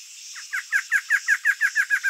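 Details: Male Barred antshrike in breeding season, singing energetically to its mate incubating eggs on the nest and marking its territory: a quick series of about ten loud, evenly spaced nasal notes, roughly five per second, over a steady high insect buzz.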